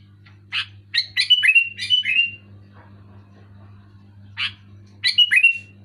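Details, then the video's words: Sooty-headed bulbul song, loud and distinct: a chirp, then a fast string of bubbly notes curling down into a whistled slur, a pause, and the phrase again, with a low continuous hum in the background. "Suara burung kutilang gacor keras jelas"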